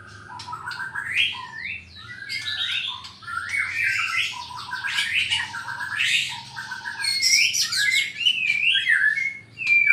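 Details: White-rumped shama from Sarawak, Borneo, singing a kecor-style song while challenging a rival to fight: rapid varied whistles and sweeping notes, dense and loud, with harsh bursts scattered through.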